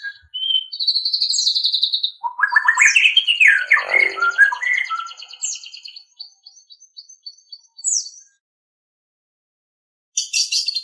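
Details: White-rumped shama song used as master training audio for captive songbirds: varied whistled and rattling phrases, a long buzzy trill near the start, a dense tumbling burst of notes, then sparse chirps, a pause, and a harsh burst at the end.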